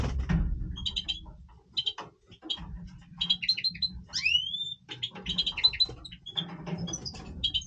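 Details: Major-type European goldfinch in breeding voice, delivering clusters of high tinkling notes in short repeated phrases, with a clear rising whistled sweep near the middle, against a low background hum and soft clicks.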